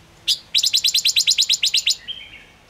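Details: Gouldian finch lure song: one sharp note, then a rapid even rattle of about fourteen high chirps, ending in a short flat whistle.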